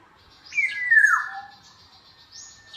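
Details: Black-naped oriole: a single fluty, liquid whistled phrase that slides downward, with a faint higher note at the end.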